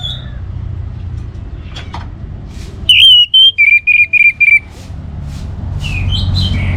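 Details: Orange-headed thrush in song, meant to stimulate other birds: a loud phrase of about six clear, evenly spaced whistles, with softer chirps before and after over a low hum.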